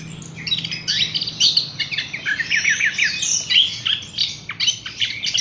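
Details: Horsfield's bush lark singing a steady stream of quick, high twittering and chirping notes in rapid pulses, with occasional sharp downslurred whistles.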